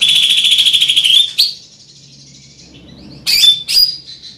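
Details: Large-bodied greater green leafbird singing loudly: a rapid, even trill of high buzzy notes for about a second, then a pause and sharp whistled chirps.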